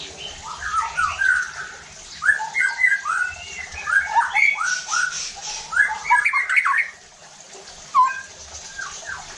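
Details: White-rumped shama song meant to stir other shamas to sing: clusters of varied slurred whistles and harsh notes in bursts, separated by brief pauses.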